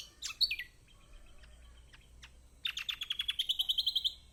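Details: Lemon-bellied white-eye used as a master song to prompt silent caged birds to sing: high sharp chirps and downslurred notes, then a fast ringing series of about fifteen bright notes near the end. Other faint chirps in the background.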